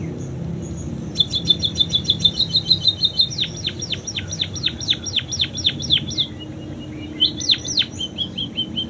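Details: Singing munia mimicking canary song: a crisp ticking trill gives way to a long series of downslurred whistles, then a short break and a final cluster of swept notes, with low hum beneath.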